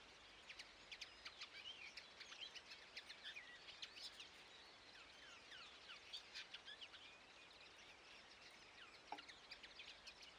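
A common linnet sings a fast, continuous twitter of short, high, varied chirps and trills, over a soft background hiss.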